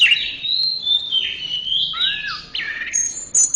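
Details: Orange-headed thrush song for training a caged bird: a long continuous warble of sliding whistles, dipping and rising, ending in thin very high notes.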